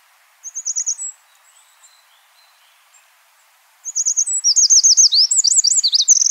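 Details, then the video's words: Free-living Eurasian wren: a short high twittering phrase, a pause of nearly three seconds, then a vigorous outpouring of rapid, piercing notes and dry trills that carries on to the end. "chants et cris du troglodyte mignon- HD/ calls and songs european wren"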